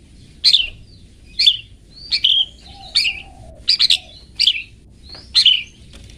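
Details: Long-tailed shrike 'toet toet' song meant for training caged birds: seven short, harsh, buzzy chirps spaced roughly a second apart, with a soft low whistle between them and a quiet background.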